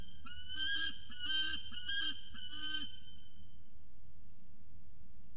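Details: Peregrine falcon at CSU Orange, recorded 17 February 2019, giving four drawn-out, nasal, harmonic wailing notes in quick succession over a constant low hum and a steady high tone.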